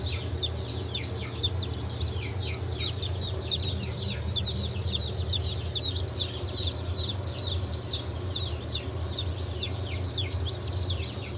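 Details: Group of just-hatched chicks from a 31 May 2023 hatch including turkey, bantam, Sussex and Australorp, giving steady, insistent high peeps with downward-sliding notes, about two a second, over a constant low machine drone.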